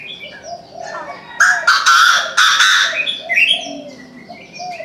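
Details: Chinese francolin giving its morning call, a run of loud harsh grating notes lasting about a second and a half, set among softer cooing and twittering from other birds.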